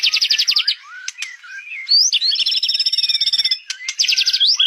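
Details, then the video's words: White-rumped shama singing vigorously: rapid rattling trills alternating with clear slurred whistles and buzzy sustained phrases, loud and varied, with no other sounds. "MURAI BATU GACOR SUARANYA"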